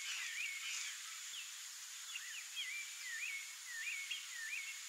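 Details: A rufous-bellied thrush at its nest in the breeding season gives a run of short, wavering whistled notes, rising and falling, about one and a half a second, over a steady high insect hiss.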